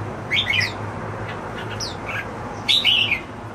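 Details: Pet jambul, the red-whiskered bulbul, sings in a few scattered whistled and slightly squawky phrases, with a louder burst near the end and a steady low hum throughout.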